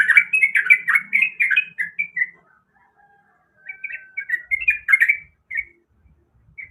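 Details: Female sooty-headed bulbul calling a male: two bouts of quick chirpy, warbling notes separated by a short silence, the second bout trailing off into single chirps.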